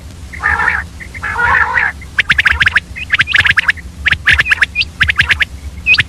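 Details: Female common quail calling in early morning; after a low, rough harmonic murmur, sharp clicking notes with short upturned whistles come in quick irregular bursts, about one a second.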